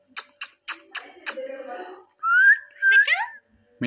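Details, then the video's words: Pet raw and ringneck parrots talking together: a few sharp clicks and low murmurs, then two clear whistled, speech-like phrases sliding upward and wavering, with a quiet room behind. "Raw Parrot Amazingly Talking with ringneck Parrot"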